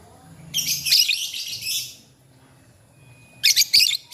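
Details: Lovebirds answering each other in the morning: a long, buzzy torrent of shrill high chatter lasting over a second, a quiet gap with faint hum, then a clipped burst of sharp chirps.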